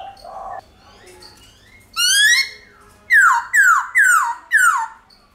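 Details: White-cheeked laughingthrush song in forest style, used to prompt pet birds to sing: a rising whistle followed by four loud, descending slurred whistles repeated about every half second.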